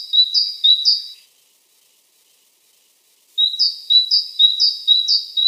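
A tit sings bright, high two-note phrases, a higher note dropping to a lower one, repeated about twice a second, with a two-second pause midway.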